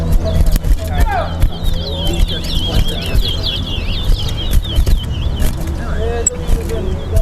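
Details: Chestnut-bellied seed finch (towa towa) in a bird singing competition in Guyana, two birds in a sing-off: rapid high, twittering phrases of quick upslurred and downslurred notes run steadily across the clip, over loud crowd talk and low rumble.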